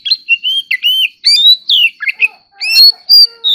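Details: Oriental magpie-robin singing in competition, loud varied whistles, rising slurs and clipped chips in quick succession, with faint lower tones underneath near the end.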